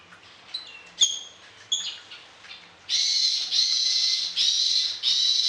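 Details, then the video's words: Orange-headed thrush in varied song, played to train other birds mornings and evenings: a few thin high whistles, then long loud buzzy strident phrases repeated with short gaps. "ANIS KEMBANG GACOR DOOOR, VARIASI ISIAN"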